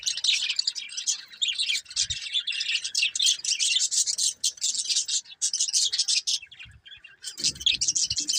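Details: A steady, busy stream of budgie chatter: rapid twittering and grating warbles with almost no pauses, plus a few low bumps.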